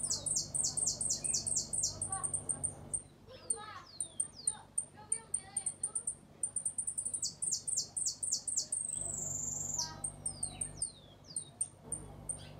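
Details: ['Hooded siskin from Uruguay with a repique, golpe and pito song. Rapid bursts of sharp, high, falling notes are repeated several times a second. A long, drawn-out whistle follows, then more scattered ticks and slurred notes.']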